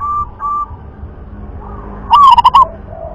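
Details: Local wild-type zebra dove of the rhythm (irama) song class giving one loud, burry cooing phrase of quick stuttered notes near its end, after faint softer coos over low background rumble.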